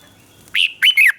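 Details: Red-whiskered bulbul, caged in Thailand, singing a southern master-style phrase for stimulating and tutoring birds: a single brief phrase of three clear, rising and falling whistled notes.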